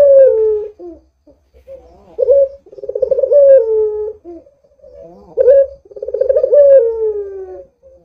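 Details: A frequently calling Barbary dove, played to prompt other doves to call. Soft clucking notes lead into a rolling, vibrating coo that trails off in a falling tone, heard twice.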